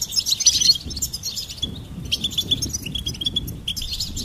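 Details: Goldfinch song for bird stimulation: a loud opening twitter, then sparser tinkling notes with short whistled chirps repeated at irregular intervals. Faint low noise underneath.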